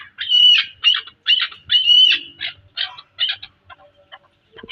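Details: Chukar partridge, known locally as chakor, from Pakistan: harsh, clipped notes given in uneven bursts, some drawn out and others short, slowing and growing fainter toward the end over a quiet background.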